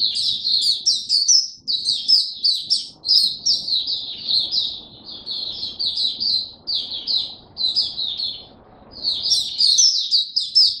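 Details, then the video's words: Open singing by a caged white-eye: bright, rapid, high warbling phrases of a few seconds each, separated by short gaps. Muffled low background noise runs through the clip. "Mata Puteh Buka Sing"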